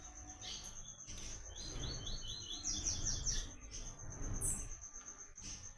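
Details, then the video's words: Double-collared seedeater (papa-capim, coleiro) singing in the Brazilian caatinga, the sought-after "Tui Tui" song style for training birds: a run of quick, slurred, repeated whistled notes, then higher buzzy phrases, over a steady high whine and low rumble. "PAPA CAPIM CANTANDO MUITO"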